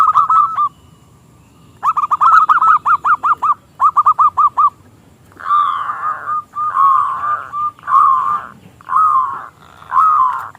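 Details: Local zebra dove, small crystal voice, used to lure rival doves into singing: rapid rolling hoot bursts in the first half, followed by broader, fuller swelling notes repeated about once a second.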